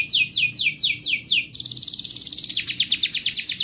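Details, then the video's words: Gacor canary delivering long melodic song for training young birds. Six clear down-slurred whistles open the phrase, then a rapid, tightly pulsed high trill runs to the end. "Kenari GACOR Panjang Ngelagu"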